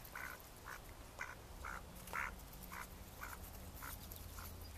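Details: Mallard ducks recorded May 2014: evenly spaced short nasal quacks about twice per second, fairly soft against a strong low rumble.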